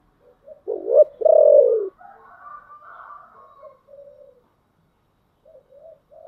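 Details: Spotted dove singing in the Vietnamese 'giọng thổ' style: two loud, low, hollow coos, the second longer and falling, then softer murmuring coos and a few short quiet notes at the end. The setting is quiet.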